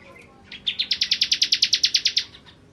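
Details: Bar-winged prinia (ciblek kristal) giving a fast rattling trill of about fifteen crisp, high, clipped notes in under two seconds, recorded for training other songbirds.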